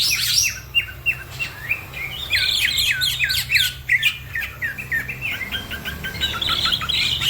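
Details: Green leafbird in full fast song, many quick downward-slurred chips repeated around three per second, mixed with buzzier higher notes and squawky chatter, as other birds join in around it; steady low hum underneath.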